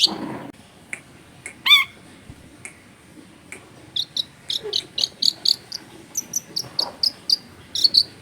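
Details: Long-tailed shrike singing energetically in a clear voice, recorded to train other shrikes: a few isolated notes, then a rapid run of short, sharp, high chirps repeated about twice a second over faint background hiss.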